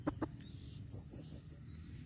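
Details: Female blue-crowned hanging parrot calling, recorded in 2021: two sharp, very high chirps, a short pause, then four thin, wavering high-pitched notes in quick succession over a quiet background.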